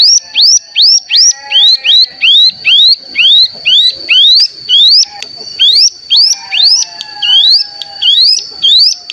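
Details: Bar-winged prinia lure call meant to trigger singing: a steady series of hooked, rising whistled notes, roughly two per second, over a thin continuous high tone, with faint lower notes beneath.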